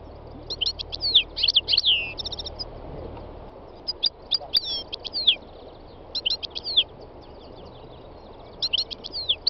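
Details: North African goldfinch, three years old, singing on a spring day in north-western Tunisian mountains: fast, jangling twitter phrases repeated in four bursts separated by brief gaps, over low background hiss and nearby wild birdsong.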